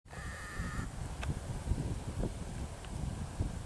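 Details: A European bee-eater at the Isonzo river mouth nature reserve (Izliv Soče), 22 August 2024, gives one short, burry, rolling call near the start, then falls silent against steady low wind rumble.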